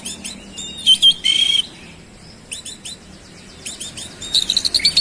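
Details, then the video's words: Kacer (oriental magpie-robin) singing energetically, 'roll speed' style, displaying mimicked fill material: paired sharp chirps and a harsh buzzy burst, a quieter gap, then clicking notes and a rising rapid twittering finale. "KACER SUPER GACOR ROLL SPEED BONGKAR ISIAN"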